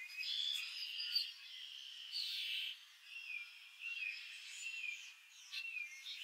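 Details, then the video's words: Blue-gray gnatcatcher at Montrose Point, Chicago, singing between bouts of preening. It delivers a high, thin, jumbled warble of squeaky notes in bursts separated by brief pauses, with no low sounds beneath. "BLUE-GRAY GNATCATCHER preening, singing"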